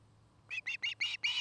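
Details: Five short, high, slightly hoarse whistled chirps in quick succession from an osprey at its nest in Charlo, Montana, recorded by a nest camera dated 09-05-2018.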